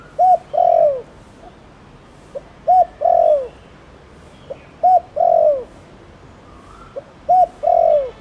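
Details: Spotted dove repeating Thổ Đồng style phrases, used to set other doves calling. There are four steady phrases about every 2.3 seconds, each a soft pip, a clipped coo and a long falling croo, sometimes ending in a short coo.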